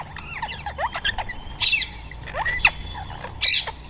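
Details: Rose-ringed parakeets feeding in Coimbatore give harsh, scratchy squawks and shrill screeches in irregular bursts, several overlapping, with a low background rumble.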